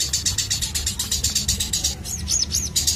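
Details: Sooty-headed bulbul, a fighter bird, delivering rapid repeated high chirps, about two per second, ending in a few arched, whistled slurs, over a steady low background rumble.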